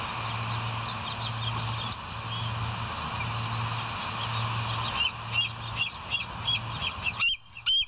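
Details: Bald eagle, West End nest live-cam recording, 28 August 2023, 07:02 morning. Soft far-off piping through a steady pulsing hum builds into a run of high yelping whistles, ending with two loud, close squealing notes.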